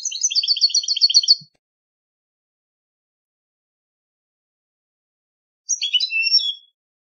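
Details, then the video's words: European goldfinch competition song: a rapid run of high, tinkling, twittering notes for about a second and a half, then silence, then a shorter burst of liquid chirps and a slurred whistle near the end. No other sounds. "cd concurso jilguero"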